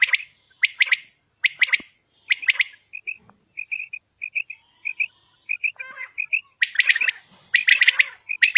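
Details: A calling female common quail: paired and tripled sharp notes at the start and end, with a run of short, soft, evenly spaced piping notes in between.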